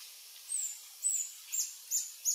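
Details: Adult male Reddish Hermit of subspecies ruber at a lek in French Guiana, Sentier de Americains, 1 March 2024, 15:03: five thin, very high-pitched squeaky notes in quick succession, about two each second.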